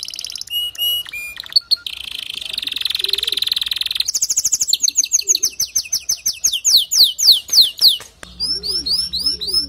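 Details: Male canary singing to get a female to build her nest quickly: a long, varied high song of rapid buzzy trills, sustained rolling notes and fast repeated sweeping whistles, with a low steady hum entering near the end.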